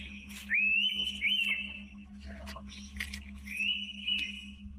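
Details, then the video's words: An Indian pitta in tropical forest, possibly in breeding season, gives its two long, clear, high whistles, each slightly rising then level, about three seconds apart, over a steady low hum. "The Rare Sound of the Indian Pitta in the Wild"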